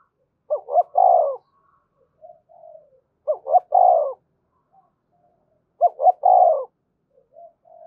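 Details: Spotted dove in 'thúc gù' urging coo, used to stimulate caged birds and train decoys: phrases repeated roughly every 2.7 seconds, two quick rising notes followed by a fuller sustained coo, with quiet low murmurs in the gaps.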